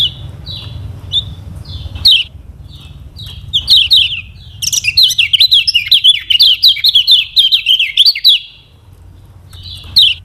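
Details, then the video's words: Varied song of the lemon-bellied white-eye (kecial kuning, Lombok), a training lure for other birds: slurred high whistles open, then a fast, continuous run of bright chattering notes, dropping back to separate whistles over faint low hum. "KECIAL KUNING PANCINGAN UNTUK BURUNG BELAJAR BUNYI DAN MALAS BUNYI"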